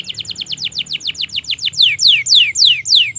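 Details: Canary in full 'gacor' song to coax quiet canaries: quick series of falling whistled notes, growing louder and slower into broad downward slurs.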